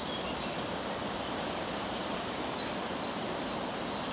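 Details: Red-breasted flycatcher singing north of Översjön, Järvafältet, Sweden, morning of 30 May 2011, strong wind disturbing: a few thin high notes, then quick bright falling notes about twice a second, over steady hiss.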